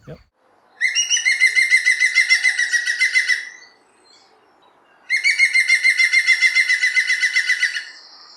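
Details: European green woodpecker gives two loud laughing yaffles, each a fast run of about a dozen ringing notes lasting nearly three seconds.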